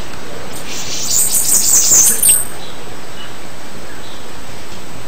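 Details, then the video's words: A single high-pitched, wheezy Bananaquit phrase of about one and a half seconds, with quick stuttering notes, set in a quiet background. "CANTO DA CAMBACICA"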